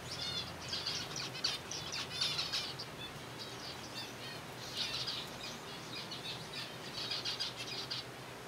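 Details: Zebra finch colony at feeding time on softfood, loud bursts of rapid high chirps clustered in groups with brief quieter gaps, several birds calling together over a faint low hum.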